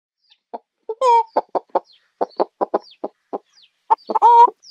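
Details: Chickens on a farm, clucking in short, throaty pulses at an uneven pace, broken at about one second and again near the end by loud, drawn-out, nasal squawks. Faint, thin, high chirps sound in the background.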